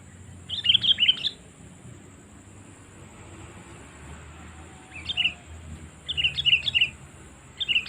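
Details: Repeated bubbly bursts from a sooty-headed bulbul, a call used to lure wild birds: four short groups of two to four liquid chirps spread over eight seconds, with quiet pauses between.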